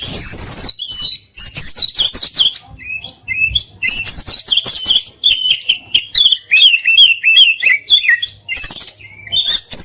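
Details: Oriental magpie-robin tutoring song packed with fill-in phrases and rapid bursts. Nearly continuous, varied high whistles, buzzy trills and quick downslurred notes, phrases changing every second or two.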